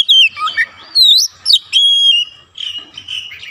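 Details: Magpie-robin singing hard after one prompt, beak wide open: a short run of loud swooping whistles, rising slurs and a long steady whistled note, then softer warbling.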